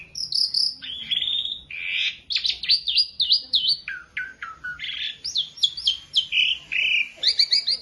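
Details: Young beginner Asian pied starling used for song tutoring, pouring out loud clear whistles, descending slurs and raspy notes in rapid phrases, ending with a fast run of repeated bright notes.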